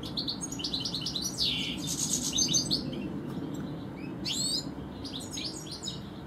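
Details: Garden European goldfinch, one of two goldfinches, singing bouts of quick bright twittering with a buzzy trill and downslurred whistles, separated by short quieter gaps.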